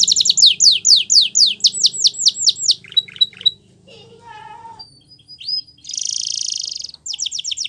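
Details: Timbrado canary delivering a run of steep falling slurred whistles, a few soft chips and low warbled notes, then a dense buzzy trill and a fresh burst of quick slurs.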